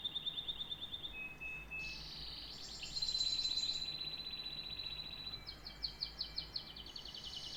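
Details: Canary singing a long, varied high song: rapid trills and rolling chirps, a steady whistled stretch in the middle, then quick repeated buzzy notes toward the end; little else heard.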